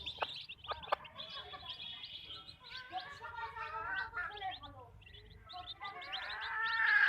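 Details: Hens on a backyard chicken farm clucking: a run of short, harmonic, gargling clucks in the middle, with steady high chirping from small birds behind and a louder rising noise at the end.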